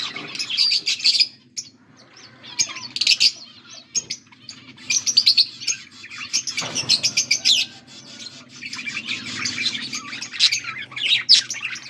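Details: Chirping budgerigars, August 14, 2024: bursts of rapid high twittering separated by brief quieter gaps, with a rustle near the middle and repeated sharp chirps toward the end over a soft background hum.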